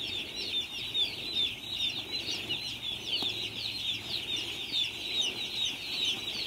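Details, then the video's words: Baby chicks on a farm: a dense chorus of high, short peeping chirps from many chicks overlapping continuously, with faint background hum. "Learn Chick Sounds"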